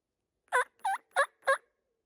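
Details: A Merriam's wild turkey tom in a rugged, isolated woodland pocket on the Grand Canyon's North Rim gobbles from about 150–200 yards away. It gives four quick, rattling, throaty bursts about a third of a second apart.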